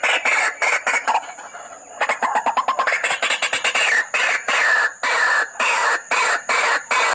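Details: White-breasted waterhen calling at night gives harsh, croaking notes, rapid at first and then about twice a second, over a steady high insect hiss.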